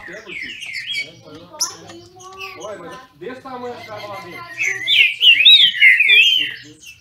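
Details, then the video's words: Captive green-winged saltator (trinca-ferro) kept by a registered breeder in Brazil, singing in a dispute with a rival. Loud whistled phrases with rich harmonics, lower warbling notes, then a high, rapid, twisting warble. No other clear sounds. "Trinca ferro disputando!!!"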